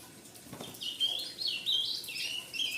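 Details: Young ultramarine grosbeak fledgling calling in quick, high-pitched twittering bursts of short slurred notes. A soft low rustle comes just before the calls begin.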